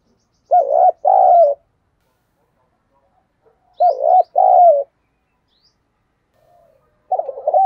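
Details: Caged spotted dove used as a decoy bird, calling to lure wild doves; repeated cooing phrases of mellow, wavering low notes in bursts about every three seconds, with quiet pauses between.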